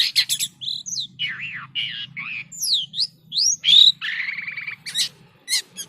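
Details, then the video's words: Jalak kapas starling singing unusual varied phrases: short chatter, wavy slurred whistles rising and falling, a clear upslurred whistle, a trilled buzz, then a few sharp high chips. "SUARA ANEH BURUNG JALAK KAPAS GACOR‼️"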